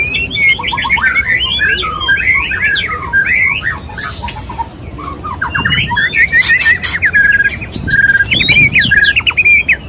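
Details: Male white-rumped shama courting a female: a rich, varied run of clear whistled notes, short slurs and chattering trills, with some harsh buzzy bursts, continuing almost without pause.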